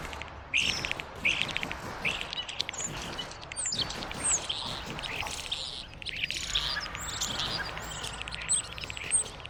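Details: European starlings in an original recording later used for game creature sounds: a busy mix of chirps, clicks and thin high whistles, with several loud bursts over a rustling background.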